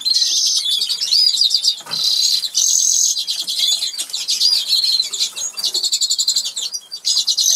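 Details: Two Norwich canaries in a caged aviary in England, singing while eating; high rolling trills and sustained buzzy tours alternate with short chirps, a brief pause near two seconds.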